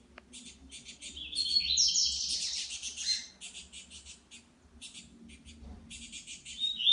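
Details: Saffron finch in the wild: a rising, tumbling warble for about two seconds, set among repeated dry, buzzy chirps in short bursts.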